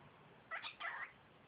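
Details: Young female cockatiel, five months old, kept as a pet, talking: one squeaky, breathy two-syllable phrase, the second part longer, in a quiet indoor room.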